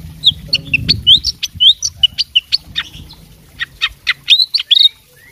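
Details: Fighting oriental magpie-robin singing constantly with borrowed phrases: rapid sharp notes and short whistles repeated in quick bursts, with a low rumble of background noise at the start.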